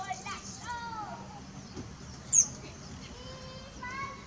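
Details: Unidentified bird singing at El Retiro, Antioquia, Colombia, recorded with a Nikon P900 camera: faint, thin whistled notes sliding down and up, some sharp high chirps, spaced irregularly over a quiet background.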